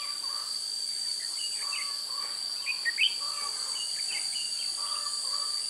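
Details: Red-whiskered bulbul at a trap with a decoy bird, 16 June 2017: short whistled, warbling phrases with rising and falling notes, several birds calling, over a constant high shrill insect drone.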